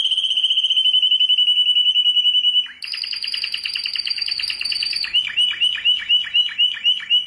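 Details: Canary, a world champion, sings a level rapid trill, shifts to a higher buzzing roll, then repeats quick dropping notes in a regular rhythm.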